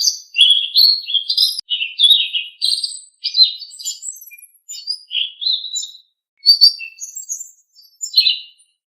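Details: Blue-winged leafbird pouring out a lively string of varied chirps, slurred whistles and buzzy flourishes, phrases following closely for six seconds, then a pause and a few thinner, scattered notes.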